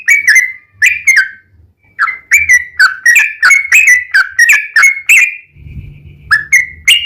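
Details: Irregular run of slurred whistled notes from a yellow-vented bulbul, used to draw song from other birds, with short gaps between clusters and a faint low hum near the end.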